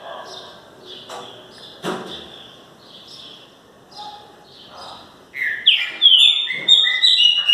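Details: Green-winged saltator (trinca-ferro) song. A man speaks over faint chirps at first. The bird then bursts into loud, rich whistled phrases that rise and fall in quick succession near the end.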